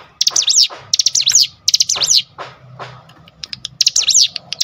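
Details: Cinereous tit song triggered by a lure recording. Bright, fast zigzag trilled phrases come in quick succession with short gaps, and a few lower slurred notes fall between bursts.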